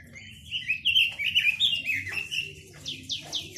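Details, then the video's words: Chinese hwamei in full song: quick, rich warbled phrases of slurred whistles, then three sharp, rising upslurred notes near the end, with a faint low hum behind. "Tiếng chim quế lâm"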